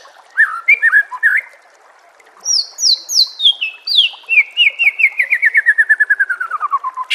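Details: Training song of the white-rumped shama for caged birds, with running water behind: varied short whistles, then loud, high slurred notes falling step by step into a fast, descending chain of chips.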